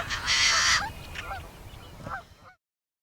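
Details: Yellow-headed Blackbird at a local wetland in May, giving its weird, unmusical song, compared to a rusty gate or a chainsaw. It opens with a loud, half-second grinding buzz, then trails into short, squeaky, downslurred notes.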